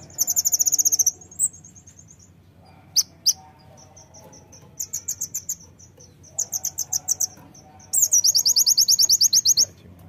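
Brown-throated sunbird giving bursts of very high, rapid trilled notes, a second or so each, linked by thin, sharp whistles and short chips.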